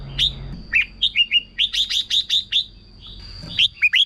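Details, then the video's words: Caged-bird stimulation song of a red-whiskered bulbul, a series of clear whistled and slurred notes in rapid runs, pausing then resuming, over a constant thin high whine and faint low hum. "เสียงนกกรงหัวจุก สำหรับต่อ หรือ เปิดให้นกคึก เสียงเพราะๆ"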